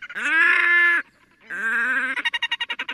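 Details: Red-necked grebe during fighting and courtship display: two long, loud, harmonic braying wails, each about a second, followed by a fast chattering trill of rhythmic pulses.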